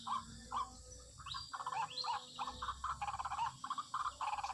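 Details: White-breasted waterhen call used as a lure for bird trapping: a rapid series of short, hoarse croaking notes repeated in quick pulses, with a couple of higher rising squeals partway through, over faint background hiss.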